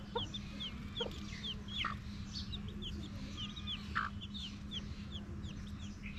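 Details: In a village, a mother hen calls her baby chicks to eat with a few low, short clucks while the chicks keep up a constant chorus of thin, high, downslurred peeps over a steady low hum.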